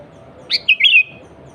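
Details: Sooty-headed bulbul in vigorous natural song without mimicked fill-ins, used as a lure to draw wild or rival bulbuls: one quick phrase of three bright whistled notes, the first sliding down, the last two bubbling, over a faint low hum.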